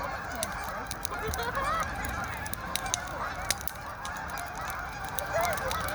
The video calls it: Canada geese singing